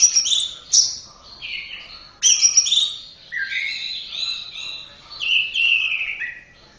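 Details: Orange-headed thrush singing on a training track: sharp high notes opening phrases of varied warbling whistles that glide downward, continuous and clear over quiet background.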